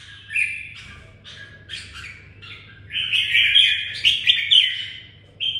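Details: Several separate bright warbled phrases from a kept red-whiskered bulbul in Vietnam, the later ones louder and more rapid, separated by short gaps, with a light low hum behind.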